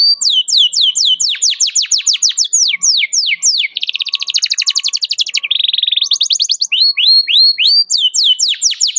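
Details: Canary calling a rival, used as a lure to train young canaries to sing: rapid series of sharp down-slurred notes, a fast buzzy trill, another rattling run, then bright rising upslurred whistles.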